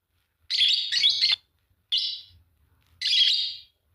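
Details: Green Fischer's lovebird pair giving loud, piercing chirps in three main bursts, the first a doubled screechy phrase, then a short squeak and a final longer shrill note.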